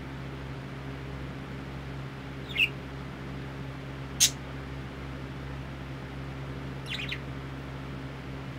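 Three brief, high chirps from a parakeet, spaced a couple of seconds apart, over a steady low indoor hum.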